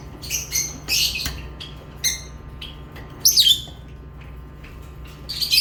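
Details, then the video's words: Chirping lovebirds: clusters of piercing high squeaks and harsh chattering notes, irregular with short gaps, against a quiet low hum. "Love birds chirping sounds"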